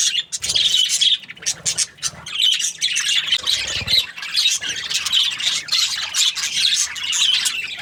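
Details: Several budgerigars in breeding season chatter nonstop in a dense, high warbling mix of chirps, squawks and scratchy twitters, busy, overlapping and steady with no pauses.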